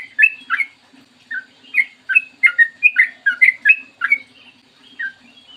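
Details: Morning song of a sooty-headed bulbul, meant to set other bulbuls singing: a chattering string of clear whistled notes, short downslurs and upslurs in bursts, easing off near the end, over a soft low hum.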